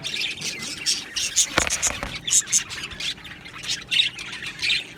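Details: Budgies in an aviary colony with scattered squawks and chirps between softer warbling, and one brief noise burst near the start.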